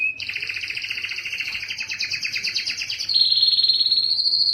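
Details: Canary song meant to spur males into singing: a fast, slightly descending double-toned trill, then a louder, purer rolling tour held at a higher pitch to the end.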